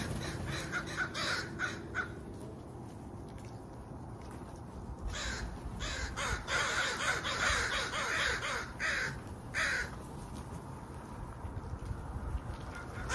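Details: Bursts of raucous crow cawing, short runs of rasping notes clustered in the middle, with gaps and a low background rumble.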